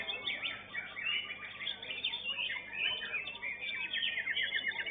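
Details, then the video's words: Young white-rumped shama singing during a bird-song competition: continuous jumbled whistles and chattering notes with fast trill runs over steady background noise, several other singers in the mix. "MB MUDA"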